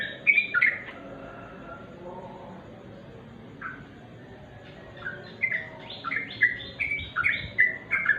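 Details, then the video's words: Sooty-headed bulbul singing at dusk: bursts of short chirpy notes that dip and rise, a quick phrase at the start, a pause, then a longer run of rapid repeated notes. "remang² trucuk.suara asli.."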